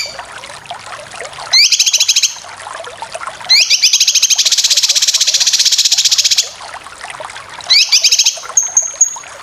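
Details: Cucak kinoy song played for training competition birds, with loud bursts of rapid buzzy rising trills, one lasting about three seconds, ending with a thin whistled note.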